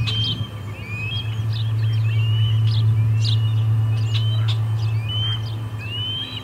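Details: Whistled, rising osprey chirps come in quick succession at the Charlo nest on 23 August 2020, during the day's third fish delivery, with a constant low-pitched drone underneath.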